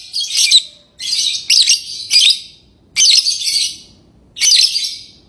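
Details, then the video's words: A lovebird gives scratchy high chirps, some doubled or tripled in quick succession, with short silences between groups. "Love bird singing & chirping sounds"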